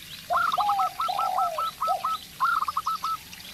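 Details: Zebra dove of local stock, heard with a spotted dove lure bird. Rapid chains of clipped, bright notes overlap low drawn-out coos, and two bursts follow one another.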